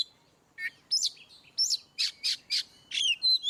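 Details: Ngeplong-style song of an Oriental magpie-robin, used to prompt birds that rarely sing: sharp high chirps and rising whistled slurs in a fairly even series of bright bursts, ending in a thin sustained whistle.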